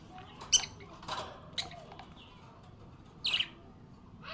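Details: Happy budgerigar chirping: a few short, sharp high chirps scattered across the clip, the strongest near the start and a doubled one later, with quiet pauses and faint room noise between them.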